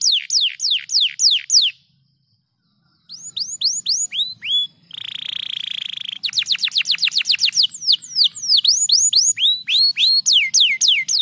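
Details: Singing canary delivering rapid, repeated downward-swooping whistles, a brief pause, then curled notes, a flat buzzing roll, and a long run of quick, high falling sweeps to the end.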